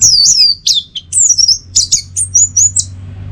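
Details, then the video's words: Orange-headed thrush training and lure recording for teler song: very high, fluid whistled phrases tumbling rapidly one after another, softly wavering, then stopping abruptly. "Masteran sekaligus Pancingan Burung ANIS MERAH Agar Selalu Bisa Menikmati Telernya setiap saat"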